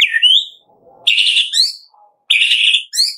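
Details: Song of a white-rumped shama, used to prompt captive birds to sing: three rich, buzzy whistled phrases separated by short pauses.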